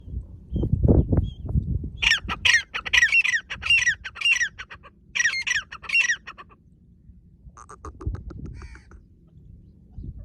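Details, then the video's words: Female white partridge calling loudly next to a partridge cage: a series of harsh, grating, repeated notes in bursts of about two seconds, with low thumping and rustling handling noise before and between them. "The female white partridge makes a loud noise next to the partridge cage"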